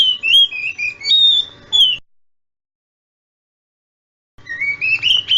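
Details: Oriental magpie-robin song played as a lure to draw replies from young magpie-robins: sweet whistled slurred phrases wavering up and down, a silent gap, then a rising whistled run.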